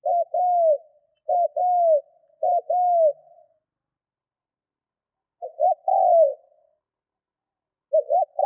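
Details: Spotted dove used as a trained decoy, cooing to provoke wild birds. Three quick, soft, downslurred coos in a row, a pause, then a fuller phrase with clipped lead-in notes. Another begins at the end.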